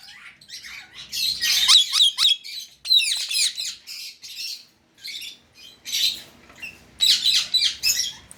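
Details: Harsh, buzzy chattering squawks from a pet Indian ring-necked parrot, in irregular bursts with short quiet gaps.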